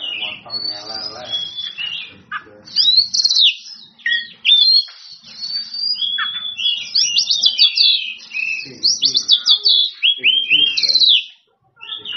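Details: A captive oriental magpie-robin in loud, nonstop song, meant to provoke rivals into answering and opening their tails: rich whistles, quick rising and falling sweeps and scratchy notes, with a faint low murmur beneath.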